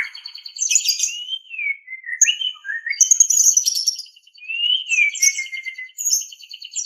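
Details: Song of a white-rumped shama used for training captive birds: fluid whistled phrases gliding down and up, interspersed with high scratchy twitters and a longer falling whistle, with short pauses between phrases.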